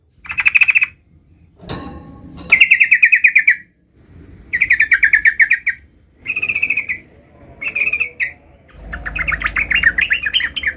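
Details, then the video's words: Sooty-headed bulbul, a young bird learning to roll its song: repeated one-second bursts of fast trilled chatter with pauses between them, a sharp click-like noise near the start, and a looser warbling phrase at the end. "suara trucukan gacor belajar Ngerol"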